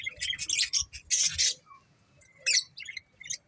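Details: A pair of breeding budgerigars chirp in quick scratchy bursts and bright squeaks, followed by a quieter stretch with thin whistled notes and a few more sharp calls.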